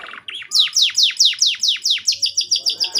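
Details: Short canary song phrase meant to encourage young birds to sing: a brief opening note, then a loud run of about ten descending swept notes repeated quickly, ending in softer chirps.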